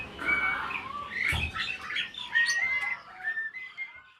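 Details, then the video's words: Adult breeding Asian pied starling, said to be inviting its keeper to talk, gives a dense jumble of whistled slurs, harsh chirps and short rising whistles. Notes overlap and change quickly, with one low thump near the middle. "burung jalak ini malah ngajak ngomong"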